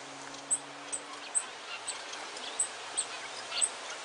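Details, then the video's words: Pair of captive cinnamon King Quail with four cinnamon chicks: very high, thin peeps come singly and irregularly, about three a second, over a steady background hiss with a low hum early on. "Cinnamon King Quail with baby quail"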